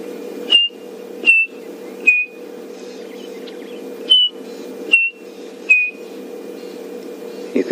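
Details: A chinspot batis calls around midday on a 23 May safari drive, as midday birds start calling, giving clear, high whistled notes, each sliding slightly down, roughly every second, over a steady low hum.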